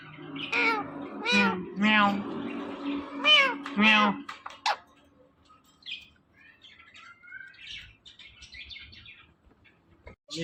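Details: Pet Indian ringneck parakeet talking: a run of five loud, harmonic, speech-like syllables in the first four seconds, then quieter scattered chirps and soft clicks.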